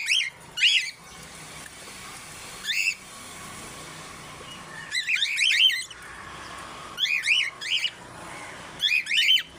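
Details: Male African grey parrot, aged 30, at the Knoxville Zoo performing impressions: scattered bursts of sharp, arching chirped notes, some doubled, separated by quiet stretches of up to two seconds, over faint background hum.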